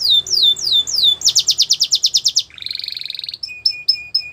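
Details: Canary training song for teaching young canaries: a run of descending whistled sweeps, then a rapid pulsed trill of about a dozen notes, a lower buzzy rattle, and several short sharp chips, all very clean and loud.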